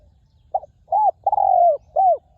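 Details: Resonant coo phrase of a wild-caught spotted dove serving as a ground decoy: a clipped opening note, an arched coo, a long level coo falling at its end, then another arched coo, with low background rumble.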